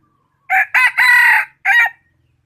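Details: ['Crowing decoy chicken, used to lure birds for catching and known for its good voice: a loud crow in three joined bursts, followed by a short separate final note.']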